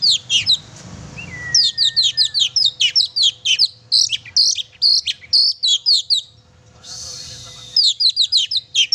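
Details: Oriental magpie-robin singing hard, meant to stir a pet magpie-robin: a long string of fast, high, sharp chirps in steady bursts, one short gliding whistle early on, a brief hissy gap, then more chirping.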